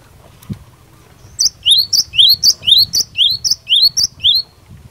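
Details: Cinereous tit (glatik batu) singing in a lively 'gacor fighter' style meant to provoke other tits into answering; about ten rapid two-note phrases, a piercing high note then a slurred descending one, repeated roughly twice a second over a faint low hum.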